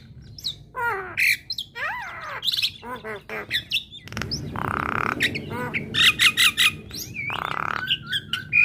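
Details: Female Javan myna giving a provoking song so listening Javan mynas respond straight away: dense downslurred whistles and rasping squawks mixed with two longer harsh, buzzy grating notes.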